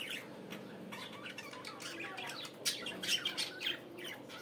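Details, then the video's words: Morning budgerigar chatter, soft scratchy twittering that grows into louder sharp chirps and squeaks toward the end, with a constant low hum. "صباحكم جميل علي صوت أجمل عصافير عصافير البادجي"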